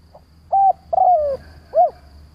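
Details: Single phrase from a decoy spotted dove meant to provoke other doves: a soft pip, a steady level coo, a long downward-sliding coo, then one rising-and-falling closing note, with a low hum beneath.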